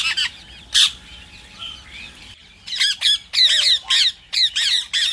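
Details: Rose-ringed parakeet, voice used to get other parrots singing: a lone sharp squawk and softer chatter, then a quick burst of harsh, descending screeches in close succession.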